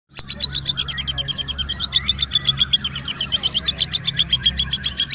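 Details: Young male long-tailed shrike, eight months old, singing a full varied repertoire used to train other birds: a dense, fast stream of chattering and buzzy notes, about four per second, over a constant low hum.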